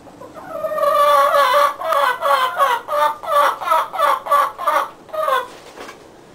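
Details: Backyard chicken flock: a loud, nasal, harmonic call repeated rhythmically about three times per second for roughly five seconds, then fading.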